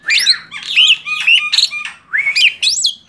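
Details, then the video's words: Tame male black-winged starling delivering loud, harsh squawking notes interwoven with upslurred whistles, in short phrases separated by brief gaps. "JALAK SUREN JINAK GACOR MASTERAN"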